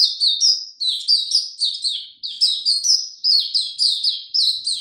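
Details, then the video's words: Oriental white-eye in captivity singing at a relaxed pace: loud, clear, high-pitched notes dropping in pitch, strung together in quick repeated phrases, nothing else audible. "Mata Puteh Hercules buka sing go slow n easy"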